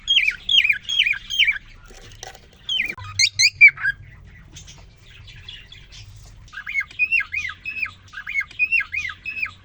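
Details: Caged male cockatiel singing right after a female was introduced to him following three days alone; bursts of rapid warbled, wavering whistles, a harsh squawk-like phrase midway, then more looping whistled notes repeated in quick series, indoors.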